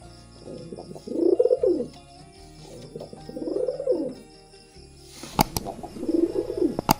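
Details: Courting pigeon repeating arched, rolling coos about every two and a half seconds, with sharp clapping or tapping sounds near the end alongside the last coo.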